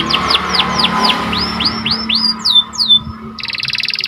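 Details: Symmetrical panda canary singing steadily to excite other birds. About a dozen arched downslurred whistles repeat rapidly, a few high swooping notes follow, then a fast buzzy rattle begins, with a steady electrical-sounding hum throughout.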